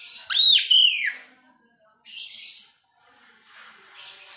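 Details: Asian pied starling giving a loud, wavering slurred whistle with harsh edges, followed by two bursts of rough, hissy chatter separated by silence.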